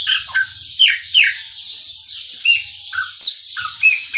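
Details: A chopi blackbird sings the maranhãozinho song, with rapid bright whistled notes and downslurs, some in quick pairs, and a brief pause midway, all above steady background hiss.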